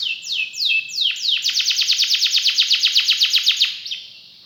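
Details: Canary singing with praised special phrasing and rich fill: a few loud falling sweeps lead into a rapid, even trill of about twenty descending notes that fades away.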